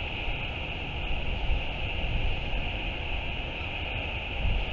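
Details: Low gusting wind rumble and a steady background hum are heard throughout, and there are no animal calls.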